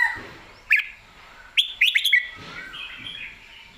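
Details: Red-whiskered bulbul song: short bright whistled phrases in two bursts, with a quick run of sharp, slurred notes at one and a half to two seconds, separated by quiet gaps with faint background hiss.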